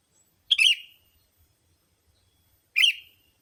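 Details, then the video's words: Lure sound for attracting sooty-headed bulbuls: two separate harsh, buzzy chirps about two seconds apart, each ending in a trailing, falling slur, with silence between. "Suara Burung Pikat Kutilamg Masteran"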